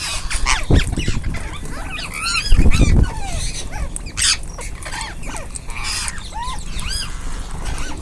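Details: Feeding flock of rose-ringed parakeets, dense overlapping squawks and chattering screeches, with low thudding handling noises early on.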